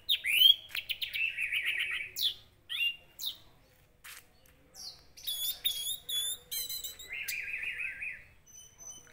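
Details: Orange-headed thrush, used as a lure so the bird quickly becomes agitated and sings: loud, varied song of slurred whistles, harsh rasping bursts and ringing trills in separate phrases with short silent gaps, recorded in a quiet setting.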